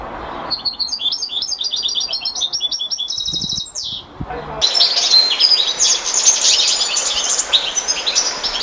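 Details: European goldfinch singing: a quick run of tinkling, twittering notes high in pitch over the first four seconds, then a dense, steady wash of noise covering the rest while fainter chatter continues.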